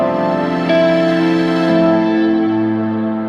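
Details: Soft, sad instrumental music with sustained chords and a brief melodic change, and no animal sounds.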